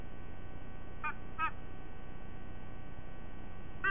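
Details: White-bellied sea eagle at a nest in Sydney Olympic Park, Australia, 5 October 2023 at 07:45, giving short, nasal, goose-like honks, two close together, then a third after a pause, over a steady low rumble.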